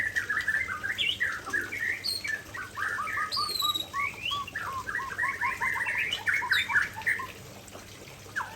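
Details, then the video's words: White-rumped shama from Aceh pouring out its prized song material: rapid varied whistled notes and chips, dense rolling phrases with upslurs and downslurs, some high sweeping notes, fading toward the end. "Murai Aceh Tumpahkan Isian Andalan"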